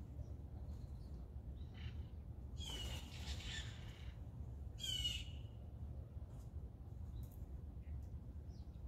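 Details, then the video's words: Blue jay feeding on peanuts, giving two short, harsh, raspy calls about two seconds apart, with a few faint chips between, over a steady low rumbling background. "Blue Jay Call and Sounds"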